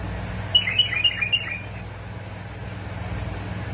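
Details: Basra and Fao bulbul giving a one-second run of five or six sweet, bouncing whistled notes, then quiet; a recording for stimulating bulbuls to sing, with a steady low hum underneath.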